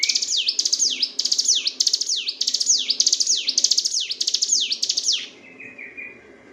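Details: Continuous gacor ngebren song of the Sunda bush warbler (ciblek gunung), recorded as training material for songbirds: about five seconds of dense, rapid, high swooping notes mixed with crisp clicks, ending in a faint, level, thin whistle.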